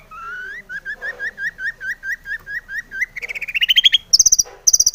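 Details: Energetic long-tailed shrike song rich in varied phrases, played to urge other shrikes to sing; a string of repeated whistled upslurs, then a rising trill and loud high piercing bursts.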